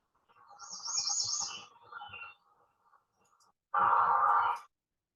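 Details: American redstart (Setophaga ruticilla) sings in a forest targeted for development, giving a brief run of very high, thin, sibilant notes, then lower chattering and a loud harsher burst near the end, over traffic hum.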